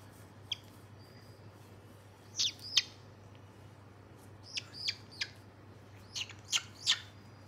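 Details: White-bellied caique, 27 August 2022: quick bursts of high, raspy chirps, several in rapid succession toward the end, against a low mechanical hum.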